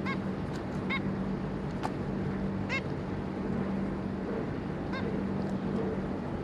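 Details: Zebra finches, a pair and three juveniles, 26 May 2022: brief nasal honks spaced roughly a second apart, each a tight harmonic stack, against a constant low hum and background hiss.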